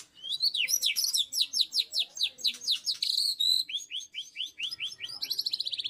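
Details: Murai batu, or white-rumped shama, delivering fierce 'tembakan' song, singing continuously ('ngacor'): a long, loud series of sharp falling whistles, briefly broken by a steady whistle, then speeding into a fast, even trill at the end.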